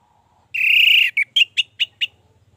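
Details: Orange-headed thrush in lively song, used to prompt other thrushes to sing: a sustained high whistle about half a second long, then five short, clear notes at a quick, even pace, over a faint low hum.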